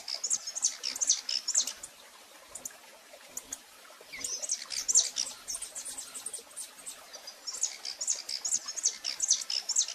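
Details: Recorded live, a female rufous-collared sparrow gives many calls: rapid high chips in bursts at the start, middle and end, separated by quieter gaps.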